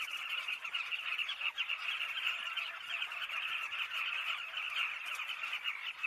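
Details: Southern carmine bee-eater flock noise: a constant, busy babble of many throaty chirping calls layered over one another with little variation.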